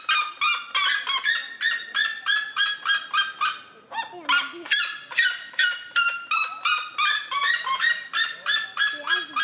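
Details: Territorial vocalisation of a red-legged seriema defending its territory: a long run of loud, rapid, yelping barks about three per second, with a brief lower break midway before the harsh rhythmic series resumes; a second lower honk-like voice briefly joins.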